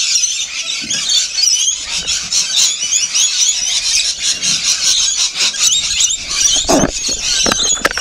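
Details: Rainbow lorikeets feeding, a dense chorus of high, shrill screeching and chattering calls overlapping continuously, with a few sharp knocks.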